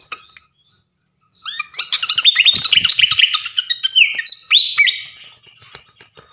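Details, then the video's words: A masteran recording of a champion flycatcher, locally called srikatan kipas: after a brief quiet start, a long energetic run of high chirps, trills and upslurred whistles that ends with clear rising phrases. "gacoan ngeplong masteran asah mental burung jawara khas srikatan kipas"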